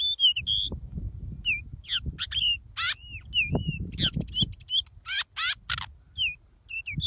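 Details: Pied bushchat caught by luring, singing short bursts of clear whistled slurs, rising and falling notes and rapid buzzy trills at fairly high pitch, phrases separated by brief pauses, over steady low rumbling background noise.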